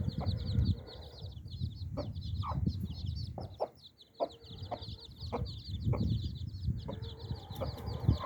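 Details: Hen clucking softly and irregularly beside her nine chicks, whose continuous high cheeping runs throughout; a brief quieter gap midway before the clucks and peeps resume.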